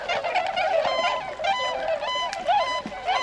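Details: Tundra swans wintering in Azumino, Nagano, Japan, late February 2013, heading to nearby rice fields to feed; a steady wash of overlapping calls with a few clearer drawn-out harmonic honks rising above.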